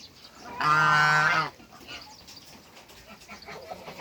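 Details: A single long, loud nasal honk, lasting nearly a second, comes from an African goose of a pair on a Greek farm, followed by quieter background noise.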